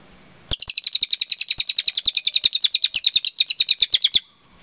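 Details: Long 'tembakan' burst from a Cililin: some thirty crisp, high, doubled chirps repeated rapidly and steadily for nearly four seconds, with a brief stutter near the end before the series cuts off into near silence.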